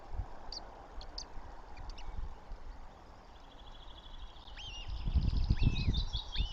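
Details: Northern goshawk (Accipiter gentilis) chicks begging at the nest in Tartu, Estonia, 9 May 2025: thin, high, rising whistled calls in quick succession, over faint chips, low thumps and steady background rumble.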